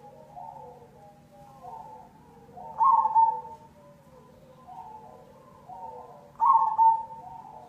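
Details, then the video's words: Lure song of a perkutut cemani zebra dove: repeating cycles of soft rolling coos building to a loud, bubbling double note, heard twice about three and a half seconds apart. "Pancingan perkutut cemani"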